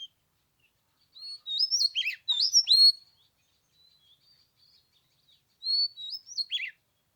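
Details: Oriental magpie-robin in song on the third day of Tet, cold at 15 degrees: a burst of rich rising and falling whistles with sharp downslurs, quiet twitters, then another bright swooping phrase.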